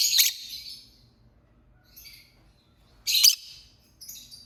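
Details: Lovebird giving two sharp, loud, high-pitched shrieking chirps about three seconds apart, each trailing off, with a few fainter short chirps in between against a quiet background.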